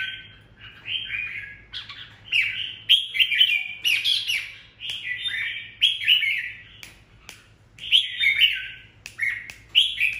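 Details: An excited decoy red-whiskered bulbul sings solo in the "ché" style, called very unusual. Loud, bubbly, warbled phrases repeat every second or so, with sharp ticking notes between them, over a quiet low hum.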